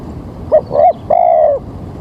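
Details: Spotted dove coo used to attract birds for trapping on an early, rainy-looking morning: a short clipped note, a swelling second note, then a long steady low coo.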